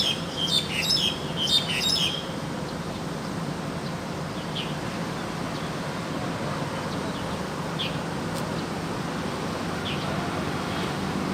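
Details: Wild crested myna singing actively, two rapid bursts of sharp whistled notes at the start, followed by a long stretch of steady noise with a few faint chirps.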